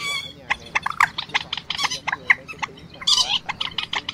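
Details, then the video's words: Night-trapping lure of quốc biển and trích ré, two birds calling, March 2024 migration: rapid series of sharp, nasal harmonic notes, dense and irregular, ending in a strident squealing burst. "Tiếng Quốc Biển , Trích Ré 2 Con Kêu Bẫy Chim Gìa Và TơVụ Chim Tháng 3 - 2024 Lưới Đêm"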